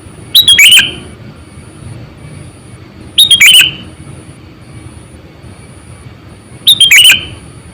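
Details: Sooty-headed bulbul used to lure wild birds, some 8 to 9 years old, calling three times at about three-second intervals, each a loud cluster of quick bubbly notes ending in a downward slur.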